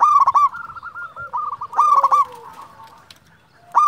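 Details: Zebra dove of local stock, a champion caller, cooing; rolling, stuttered phrases with a quieter trailing coo, then a brief hush before the next phrase begins.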